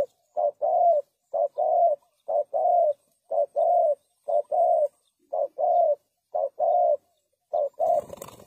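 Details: Spotted dove, clean call suited for luring doves into traps: a steady series of short-then-long coo pairs repeated roughly every second, about ten pairs, ending in a burst of rustling noise.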